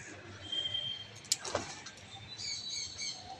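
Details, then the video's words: Parakeets call from a distant coconut tree where many have built nests. A thin, level whistle comes first, then a sharp click, then a run of harsh, screechy notes toward the end. "টিয়া পাখি আওয়াজ করছে। ওই"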